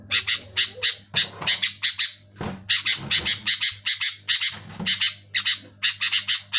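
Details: Sooty-headed bulbul song, played to stimulate caged bulbuls that have stopped singing: loud, clear bursts of bright, chattering, squawky notes in quick clusters, repeated steadily with short gaps. Soft low clicks and bumps sound underneath.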